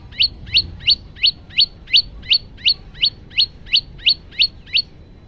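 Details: Male prinia (prenjak lumut) sings a steady run of about fourteen sharp, high, upslurred chip notes, roughly three per second, over a low background hum.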